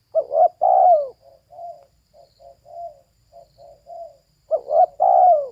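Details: Female spotted dove calling: two loud, throaty coo phrases open and close the clip, with a run of soft, low wavering coos between them; no other sounds.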